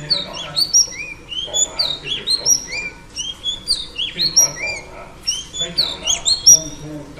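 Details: Female oriental magpie-robin song meant to stir up males, made of bright whistled slurs and high sharp chips in bursts about every half second, phrases varied and continuous, with a faint low hum beneath.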